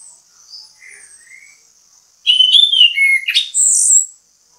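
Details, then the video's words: Orange-headed thrush (anis kembang) used as bait song to make other birds call: faint distant whistles first, then a loud, fast phrase of tumbling whistled notes and a high ringing finish. "ANIS KEMBANG GACOR MEMBUAT ANIS KEMBANG IKUT BUNYI, PANCINGAN ANIS KEMBANG"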